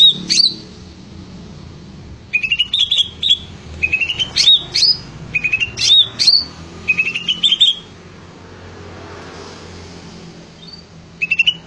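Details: Greater green leafbird in full energetic song: bursts of short whistled notes around high pitch, rising trills and sharp upslurred phrases repeated in clusters with brief pauses, clean background with faint low hum.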